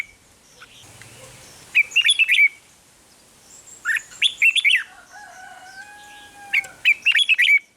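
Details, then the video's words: Red-whiskered bulbul singing in the Thai 'rik' style, a recording played to excite caged birds: three bursts of bubbly, warbled notes about two seconds apart, with long, steady, lower whistles between the second and third bursts. "เสียงนกกรงหัวจุก ร้อง ริก เปิดให้นกฟัง ยั่วให้นกคึกจัด"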